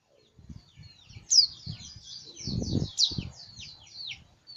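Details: White-eye singing on and on, a continuous high twittering warble of quick slurred notes, over repeated low thuds and knocking noises in the background.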